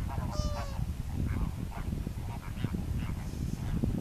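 A Greater flamingo gives one clear, goose-like nasal honk, followed by softer honks from others in the flock over heavy low rumbling noise.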